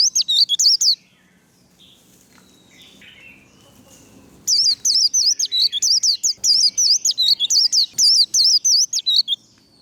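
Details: 'Líu đấu' fighting song of a warbling white-eye, played to excite other white-eyes: a short opening burst, a long silence, then a sustained string of sharp, high, zigzag whistles repeated roughly three times a second.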